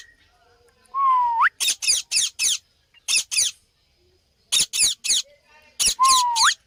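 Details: Parrot calling: a short rising whistle, then harsh, buzzy squawks in tight bursts of two to four notes with quiet gaps between, and a second rising whistle near the end.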